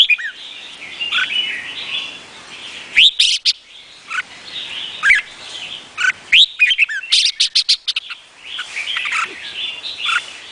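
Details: Red-whiskered bulbul of Vietnamese type giving a continuous run of bright, warbling notes, punctuated by several loud clipped phrases and rapid clicking strokes, the high chatter rarely pausing over ten seconds.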